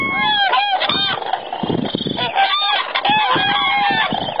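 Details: Common cranes in Spain calling from a flock: loud, rolling trumpeting notes with strong overtones, several birds overlapping in quick succession, over bursts of low rumbling noise.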